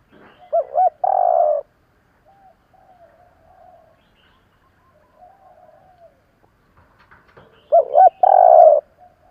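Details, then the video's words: Spotted dove calling in 'kích bổi' style to provoke wild birds. Two paired short coos and a long drawn trembling coo, faint softer coos in the gap, then the same phrase again about seven seconds later. "Tiếng chim cu gáy kích bổi nhanh nổi"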